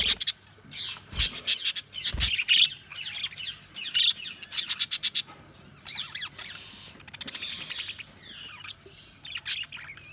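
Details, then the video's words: Budgies giving chirping calls, a busy mix of sharp clicks, warbled squawks and quick rising notes, with loud rapid bursts early and softer chatter later. "Budgies Sounds| Budgies Chirping sound"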